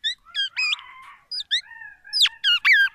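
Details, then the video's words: Black-naped oriole singing copied oriental magpie-robin phrases to challenge rival orioles; varied short whistles broken by a harsh buzzy chatter, then long level whistles and sharp downslurred notes. "MASTERAN KEPODANG EMAS,black naped oriole , FULL ISIAN MURAI BATU"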